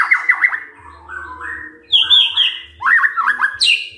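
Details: A white-rumped shama in morning song meant to goad others into answering: rapid looping whistles, level mellow notes, a high bright phrase, and another quick burst of looped notes over a faint hum.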